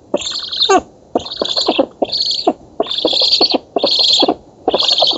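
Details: Black stork chicks in Poland begging at a feeding at their oak nest, August 2017: dense, raspy, wheezing bursts, six in five seconds, mixed with rapid clicking or bill-rattling sounds.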